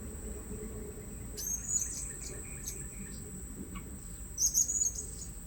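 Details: Blue-crowned hanging parrot calls recorded while luring birds at a new trapping spot: two bursts of thin, high, squeaky chirps, each a quick cluster of short notes, over a steady shrill insect drone and low background rumble.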